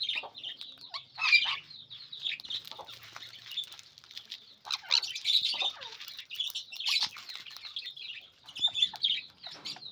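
A sun conure gives harsh, raspy squawks and chattering screeches, repeated in noisy bursts.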